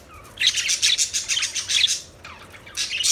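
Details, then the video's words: Budgerigar chatter: a continuous bright, scratchy warble of rapid chirps for over a second, a short pause with a soft descending note, then another burst of chirping. "Budgies Chirping Sounds Beautiful Parrot Sounds"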